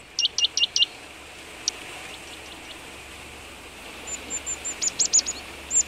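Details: Marsh tit on a frosty (-18°C) morning by boar remains in Vitebsk region, Belarus, 22 February 2013: a fast run of four thin, high chipping notes, then scattered sharp, high notes over faint hiss.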